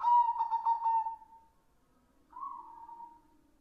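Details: Captive white zebra dove song: a quick stuttering run of soft, hooting coos, a pause, then one drawn-out, slightly rising coo.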